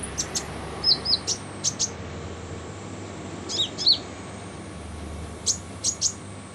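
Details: Van Hasselt's sunbird (kolibri ninja), harsh-voiced song used as a master recording for training other birds: scattered sharp high chirps and short downslurred notes in small clusters, with gaps between, over a low steady hum.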